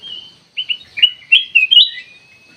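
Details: Bulbul known locally as kutilang emas, played as a lure to provoke replies: a thin opening whistle, a pause, then five quick loud chirping notes ending in a long level whistle.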